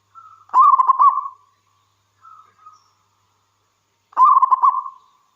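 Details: Energetic song of a local wild zebra dove: a soft coo, then a loud phrase of rapid rolling notes with a trailing hum, a quieter pair of coos, and a second loud rolling phrase.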